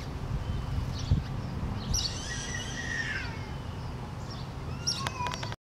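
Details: A little male sparrow in a tree, recorded on 28 April 2017, sings a few thin chirps and short twittering phrases, fairly faint, over a steady low rumble like distant traffic.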